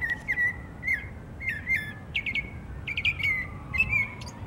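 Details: Northern mockingbird singing in Savannah, Georgia, on 12 October 2024, with whistled, warbled phrases and sharp chip notes in short bursts, several repeated; a faint falling drone and low rumble run in the background.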